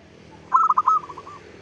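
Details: Local zebra dove cooing, used to lure others of its kind: four loud clipped notes and a held tone, then a fading tail of softer rolling pulses, over a steady background hiss.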